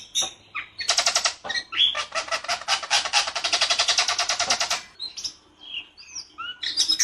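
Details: White-rumped shama in the rol tembak style with a harsh, clear voice: a few whistles, then a long rasping rattle of rapid repeated notes lasting several seconds, followed by scattered sweet whistled phrases.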